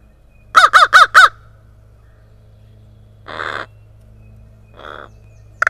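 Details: Vocal crow around a home yard in Kalamazoo, Michigan, in spring, in exchange with a quieter second crow; four loud rasping caws in rapid series, then two softer, drawn-out hoarse calls after a pause.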